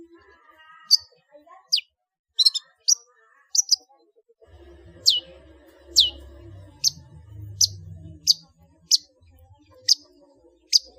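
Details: Long-tailed shrike in the ngeplong full isian singing style, used as a master for cage-bird training: crisp, high, falling notes repeated roughly every 0.7 seconds, with a brief cluster of chirps and a low rumble in the background.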